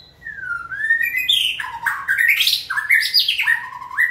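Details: White-rumped shama singing on a trainer's prompt: a slow rising whistle grows into a varied, rich outpouring of swooping, stepped and warbled notes with bright high overtones, continuous throughout.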